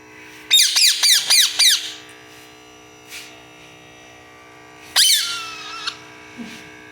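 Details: Parrot in a small room letting out a rapid burst of four or five harsh, scratchy squawks, then a quiet pause and one longer rasping screech trailing into a brief whistle, over a steady hum.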